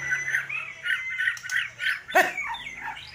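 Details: White-rumped shama singing lower, squawky phrases repeated in quick pulses, interrupted by one sharp loud click midway, with a few scratchy notes after.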